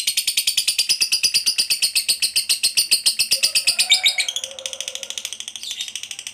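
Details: Lovebird in long 'ngekek panjang' chattering call meant to draw other lovebirds into calling: a rapid, unbroken rattle of high, harsh pulses, with a brief lower tonal note mixed in midway.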